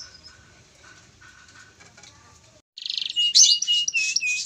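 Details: Farm-bred canary: after a quiet start with faint background chirps, a loud high song begins with a rapid rattle, then a series of bright whistled and buzzy phrases.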